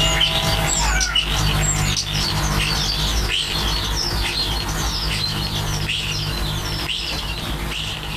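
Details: Common starlings at the nest during nest building give a busy stream of short whistled chirps, rising and falling squeaks and clicks, several notes per second, over a constant low background hum.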